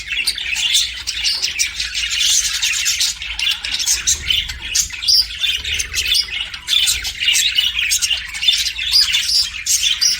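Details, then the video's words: Continuous chirping from pet budgerigars: fast overlapping raspy chatter with frequent sharp squeaks and short whistled notes throughout, over a faint low hum. "BUDGIES CHIRPING SOUND"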